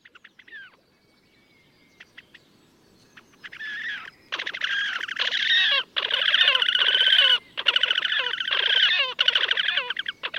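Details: Wild Slavonian grebe recorded in May 2024 at Gavieze, Latvia: after a few short quiet notes, loud nasal, harmonic trilling bursts start near four seconds and run in long rapid sequences with brief pauses.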